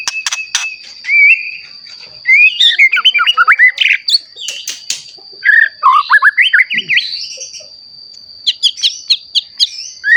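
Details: Extended white-rumped shama song used to provoke other shamas: sharp clicks, then flowing runs of rapid looping whistles in rhythmic bursts, pauses, and crisp high notes, with a constant high electronic whine.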